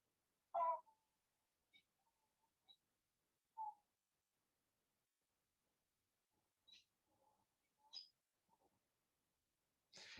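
Bermuda petrel: a few short, moaning calls with squeaky high notes, spaced over several seconds, in a thin, low-fidelity recording that ends with a sharp knock.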